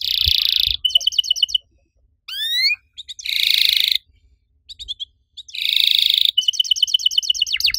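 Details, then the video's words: Canary singing in an active riwik style with cuit cuit chirps and long shooting phrases: dense buzzy rolls alternate with rapid clipped trills and upward-swept whistled notes, broken by short pauses. "KENARI RIWIK AKTIF, CUIT CUIT NEMBAK PANJANG!!"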